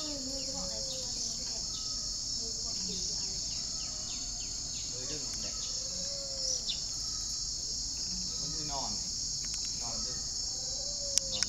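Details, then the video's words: Captive spotted dove, a red-eyed, red-legged decoy bird kept for its calling, gives soft, low, slightly rising-and-falling coos every few seconds, nearly drowned by a loud, unbroken high insect drone. "chim cu mồi thổ quá lũa luôn"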